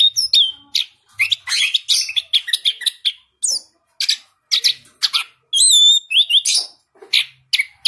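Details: A captive-bred orange-headed thrush from a breeder in southern Malang, noted for a crystal-clear voice, pours out a fast, varied song of high whistles, sharp chirps and buzzy notes, with the short phrases following almost without pause.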